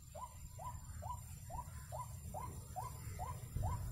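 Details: White-breasted waterhen near a bird trap, with faint, evenly spaced short arched notes about twice per second, half buried under heavy low rumbling noise.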